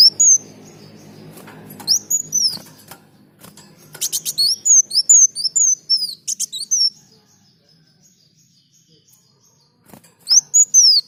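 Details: Sunbird (kolibri daun) in lively song, used for training other birds: rapid series of high, sharp, descending whistled notes with scratchy clicking bursts, then a long silence before another short phrase.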